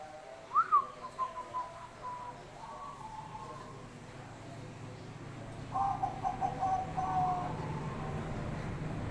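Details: Bangkok-type zebra dove in full song, opening with a rising swoop, then a run of quick coos, later a softer stuttered phrase, over a steady background hum.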